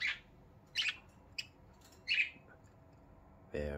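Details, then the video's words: Happy morning sounds from pet budgerigars indoors: three sharp, buzzy chirps spaced roughly a second apart, then a person's voice at the very end. "happy sound for Budgies"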